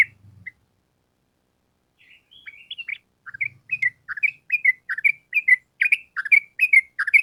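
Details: Sooty-headed bulbul building a long lively song, meant to make caged birds answer fast. Scattered slurred notes first, then increasingly loud, regular downward-slurred chirps repeated about twice per second.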